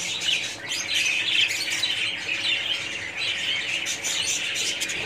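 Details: Budgerigar colony, many birds warbling and chirping together in a bright, continuous high chatter with a few clearer whistled notes early on; light background hum.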